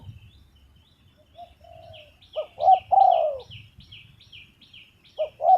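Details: Spotted dove cooing: soft low notes at first, then two short coos and a long falling coo in the middle. A faint higher chirping repeats throughout, and another short coo pair closes the clip.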